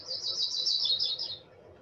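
A Yellow-rumped Warbler gives a high, sweet, wavering trill lasting about a second and a half, then fading; a faint low hum sits underneath.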